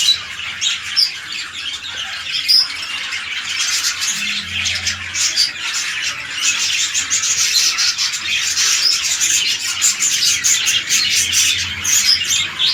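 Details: Captive red-eye lutino budgerigar pair set up for breeding, king-size male and undersize female; harsh squawking mixed with continuous high chatter, building steadily through the recording.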